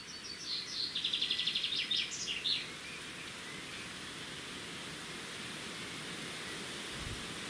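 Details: A red-backed shrike at its nest beside a road, 13 June 2016, gives a quick two-second burst of scratchy, high chattering notes, about four a second, followed by a steady rushing hiss.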